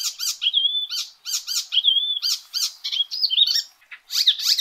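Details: Icterine warbler singing: clusters of sharp scratchy notes alternating with sustained level whistles, the phrases pausing briefly before new mimic-like bursts.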